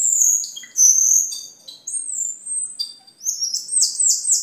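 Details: Cucak keling song for tutoring caged birds and luring: long piercing high whistles, then a fast series of rising, repeated wavering notes near the end.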